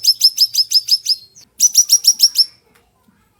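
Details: Ashy tailorbird song used as a training recording for other birds: two bursts of rapid, sharp, high chirped notes, about seven in each, evenly repeated, with a brief pause between bursts and a quiet background.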